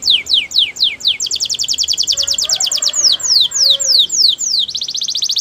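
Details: Canary giving downward-sweeping whistles, then a long rapid trill of evenly spaced notes, a few slower sweeps, and a closing fast buzzy trill; a faint low hum sits underneath.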